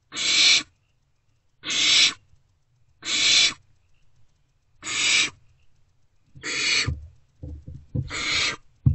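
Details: Great Horned Owl nestlings, still hungry, react to a returning adult in owl box C, 3 March 2024 early morning: six rasping hisses at steady spacing, later mixed with scuffling thumps.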